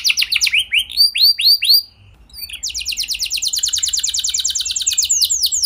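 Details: Canary in full gacor song, used to stimulate other canaries to sing: several high, descending swooped whistles, a short pause, then a long, very fast buzzing trill.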